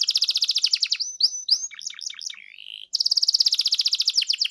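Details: Canary lure song meant to set another canary singing 'gacor': a fast, even rattle of high notes, a middle passage of varied chips and a smooth warbled slur, then the rapid trill resumes.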